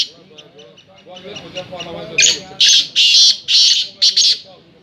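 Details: Chakri call of a black francolin: after a quiet start with low background murmur, a series of five or six loud, grating, scratchy bursts follow one another about twice a second.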